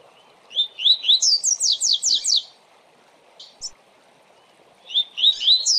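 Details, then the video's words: Double-collared seedeater (coleiro) singing a bright, quick phrase of rising chirps then a run of sharp, falling whistles, pausing and restarting over a low steady hum; Tui Tui Zel Zel Fibra song type used for song training. "Tui Tui Zel Zel Fibra"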